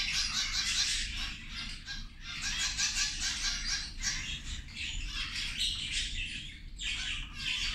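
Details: Zebra finches at lunch give busy, overlapping nasal chirps and squeaky calls in uneven bursts, with rustling and a low rumbling background.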